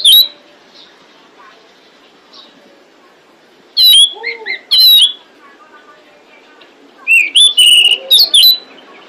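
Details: Female pied bushchat calling to attract males, giving a short burst of slurred whistles with lower undertones, then after a pause a longer run of sharp high chirps; faint hiss between.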